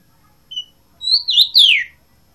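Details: Blue rock thrush from Asia: a brief high whistled note, then a quick run of bright, sliding notes that fall in pitch at the end, against a quiet background.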